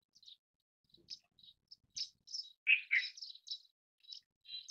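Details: Quick, high chirps from Indian silverbill, thin and scattered at first, growing into a dense twitter with two louder, husky notes in the middle; faint clicks early on.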